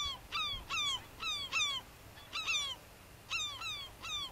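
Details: European herring gull (Larus argentatus argenteus) at Uitkerkse Polder, Belgium, in February 2011, gives loud, nasal, slightly down-slurred calls in quick pairs and short runs, with a faint low rumble beneath.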